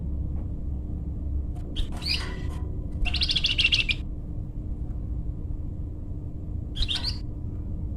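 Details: Lure song of a flamboyan bird for tutoring or trapping: a few sharp upslurred chips, a dense buzzy phrase almost a second long, then silence and a final chirp pair, with low hum throughout.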